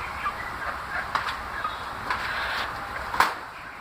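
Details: Chicks kept in a cage making a busy chorus of overlapping, mid-pitched peeps and whistles, with a few sharper clicks or knocks standing out.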